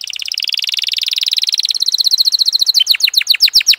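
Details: F1 canary song: a very rapid, steady high trill that slows into separate descending chirps repeated several per second, clean and with no other sounds.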